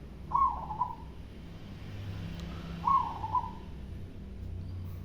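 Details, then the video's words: Local zebra dove, a perkutut, giving its loud cooing song: two short phrases around three seconds apart, each a brief bright note run into a softer trailing coo, over a low steady background hum. "Perkutut lokal mangung suara besar."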